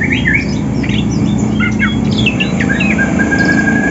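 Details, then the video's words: Two greater green leafbirds, Banyuwangi and Sumatran types, singing in the morning while seeking a rival, prepared for a bird-song contest; varied clear whistled notes, rising and falling slurs and quick chirps over a steady low hum. "Cucak ijo Banyuwangi dan Sumatra cari lawan"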